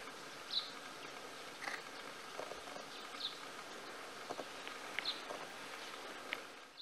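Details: Rock bunting (Emberiza cia) in Himachal Pradesh, India, giving single thin, high 'tsi' calls every two seconds or so, over a steady insect-like buzzing hum.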